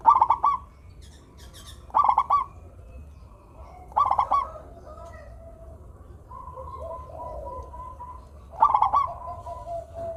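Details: Local zebra dove in full song, used to coax lazy doves into singing: bursts of bright, rhythmic cooing notes roughly every two seconds, with softer, lower drawn-out coos between the bursts.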